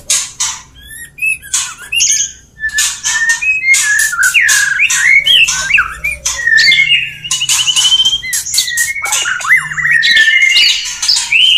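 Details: Male white-rumped shama singing to a female to prompt mating: dense, loud medley of harsh scratchy notes, looping whistles and trilled sweeps, nearly continuous throughout.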